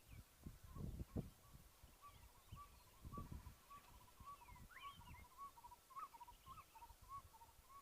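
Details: An unseen Southern Boubou calling loudly from a tree in the bush on 26 November 2022 gives a run of short, mellow whistled notes at steady mid pitch, with higher chirps of other birds, wind and handling rumbles.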